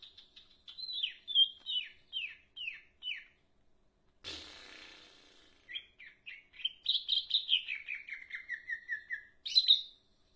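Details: Leafbird in full song: quick falling chirped notes, a sudden loud rustle midway, then a lively run of sliding whistles descending in pitch and closing with a sharp high note.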